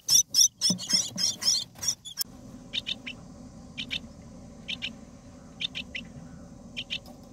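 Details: Myna chicks in the nest at day 18, being fed by a parent, give harsh, raspy begging calls in quick bursts, about four a second, then softer paired rasps over a steady low hum.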